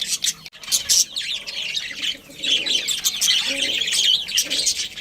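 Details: Budgerigars in a colony with a breeding pair, giving a dense, continuous stream of bright warbling chirps and squeaky twitters from several birds at once.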